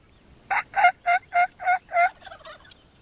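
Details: A tom turkey by an old chicken house on a farm gobbles in reply to a hen call: six quick, rattling notes about three per second, trailing into a few softer gurgles.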